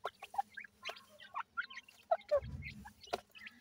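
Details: Francolin chicks being fed: scattered thin peeps and soft chirps, some with quick upward or downward bends, among sparse taps, with a brief low rumble midway.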